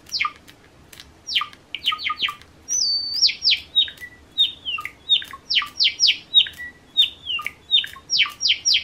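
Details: Tame Java sparrow courting while being stroked by hand: a lively run of sharp, downward-sweeping chirps, often in quick pairs, mixed with a few short tinkling notes at roughly two to three per second against a quiet background.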